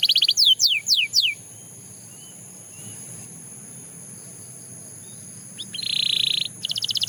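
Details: Belgian canary singing: a quick run of four falling whistled sweeps, a pause of several seconds, then a dense buzzy rolled trill and a burst of rapid sharp chips. A steady thin high-pitched hum runs underneath throughout.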